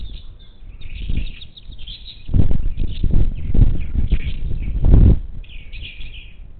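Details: Wild monk parakeets at a bird feeder on the outskirts of Houston, Texas, on the Gulf Coast, 10 March 2021; harsh squawking chatter with loud bursts of rustling and wing flaps near the feeder.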